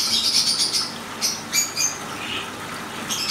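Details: A pair of Black-headed siskins drinking: thin, high squeaky notes, a quick run at the start, then scattered single chirps and a final short burst over a steady background hiss.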